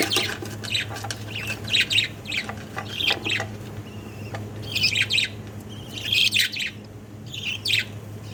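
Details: Jumbo (king) budgerigar chicks give harsh, scratchy chirps in repeated bursts over a steady low hum.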